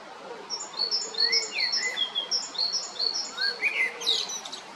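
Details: Male great tit at Jarun in Zagreb, Croatia, spring 2022; a long run of thin, high notes repeated rapidly in pairs, mixed with lower downslurred chirps mid-clip, over a constant hiss of background noise.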